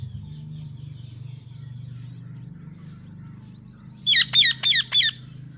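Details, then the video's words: Pet talking parrot: after several seconds of loud low humming, four evenly spaced, harsh, harmonic syllables with falling pitch come quickly one after another. "talking parrot mummy"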